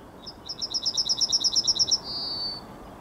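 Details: Yellowhammer singing in the morning on 9 May 2021: a fast series of about a dozen high, even chips repeated roughly six per second, ending in a drawn-out, slightly lower sustained note, clear over faint background hiss.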